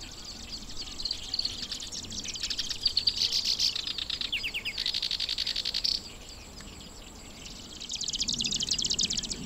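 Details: A breeding Black-browed Reed Warbler, its mate incubating eggs, sings in grassland at Watarase wetland, Japan: a busy, high stream of rapid buzzy trills and chattering notes, shifting pattern every second or two, over faint rumble.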